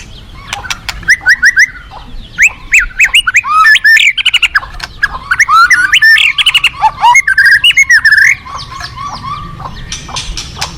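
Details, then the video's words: White-rumped shama in a long, rapid, varied song of chattering notes and short whistled phrases, densely packed for about eight seconds before fading to softer notes. "Terapi Murai Batu Hutan"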